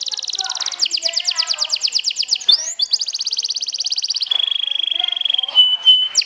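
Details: Competition kenari sobek singing to challenge opponents: fast pulsed trills in two long bouts, a sharp upsweep between them, then a steady pure whistled tone ending with a slight drop.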